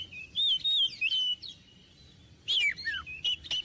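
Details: Short phrases from an Oriental magpie-robin kept as a tutor bird: sweet whistled notes and downward slurs, a pause, then another burst of bright chirps and whistles.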